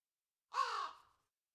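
A crow gives a single harsh, hoarse caw lasting just over half a second, dropping slightly at the end, against silence.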